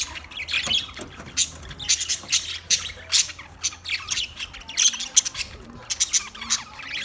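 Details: Budgerigars chattering steadily throughout: a dense run of high, sharp chirps and short squawks arriving in irregular quick bursts, several birds overlapping, with a faint low hum beneath.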